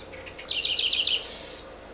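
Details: House wren song from Maranhão, Brazil, given as an example of a regional accent: a brief rapid series of high, buzzy trilled notes lasting under a second, ending in a higher thin note.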